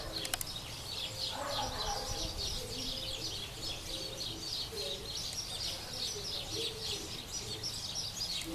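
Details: Shiny cowbird trying to parasitize another bird's nest in Paudalho, Pernambuco, Brazil: a steady run of high, twittering chatter with a few lower, short notes underneath, over a faint background hum.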